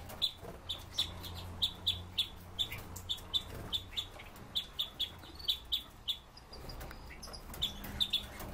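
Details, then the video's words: Caged Red-billed leiothrix repeating sharp high chip notes roughly twice a second in a long steady series, pausing briefly, then resuming, with light clicks and a low hum behind. "Китайские соловьи Leiothrix lutea"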